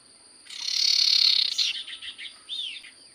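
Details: Common Iora (sirtu cipoh) singing steadily: a long harsh buzzy rasp, then a run of quick chips and a slurred whistled note, over a constant high electrical whine.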